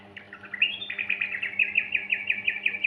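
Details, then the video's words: Yellow-vented bulbul, in a recording meant to coax young birds into singing: a run of sharp, bright chirps repeated in quick succession, about five or six per second, over a faint constant low hum. "Pancingan Anakan Burung Trucukan Gacor Ropel"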